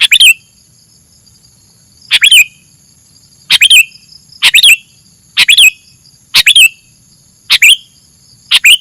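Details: Sooty-headed bulbul used as a trapping lure, repeating bright stuttered chirps that end in a falling whistle, roughly one per second after a brief gap, with a constant high electronic-sounding hiss underneath.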